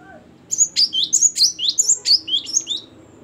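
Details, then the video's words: Great tit, locally gelatik batu, singing in gacor style: about a dozen crisp, high whistled notes in quick high-to-low pairs, delivered evenly over roughly two and a half seconds with a faint low murmur beneath. "Ini baru ngeplong dan gacor burung gelatik batu"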